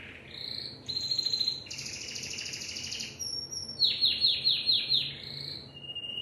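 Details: Timbrado canary song with varied phrases: short whistled notes, buzzy rolling trills at two pitch levels, then a run of repeated falling chirps and a final whistle.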